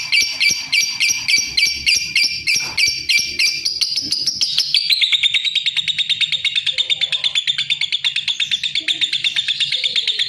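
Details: Lovebird giving rhythmic doubled chirps that shift after a few seconds into a faster, denser chattering trill of sharp high notes.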